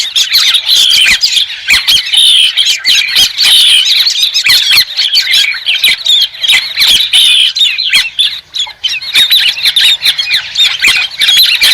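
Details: White-crested laughingthrush in a loud, dense chorus of harsh squawking and cackling notes, overlapping almost without pause, with bright whistled squeals woven through. No other sounds can be heard.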